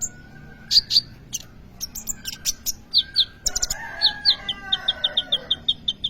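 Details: Kolibri ninja sunbird singing energetically, used to lure and tutor other birds. Dense high chirps give way to a fast run of evenly repeated sharp notes, with a softer warbling layer underneath.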